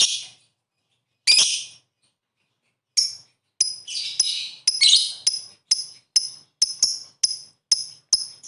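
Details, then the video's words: Lovebird 'ngetik' calling meant to make rival birds sing; a few scattered harsh bursts, then crisp high ticking notes repeated about every third of a second in a steady run. "suara burung Lovebird memanggil ngetik ngekek ampuh bikin lawan cepet bunyi"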